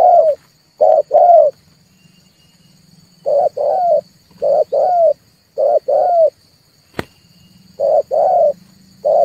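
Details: Red turtle dove cooing, played as a trapping lure to provoke calling: short-long pairs of low hollow coos separated by pauses, over a faint low hum, with one sharp click.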